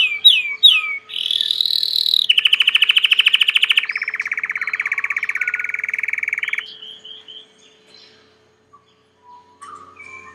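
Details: Belgian canary singing indoors as a domestic pet: quick rising chirps lead into a high buzzy trill, then a long rapid rolling trill lasting about four seconds, fading to scattered soft notes and near quiet.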